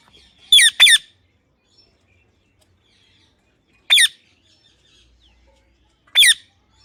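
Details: Talking pet parrot mimicking words: a quick pair of rasping, downward-sliding syllables, then single matching bursts about three and two seconds later, with silence between.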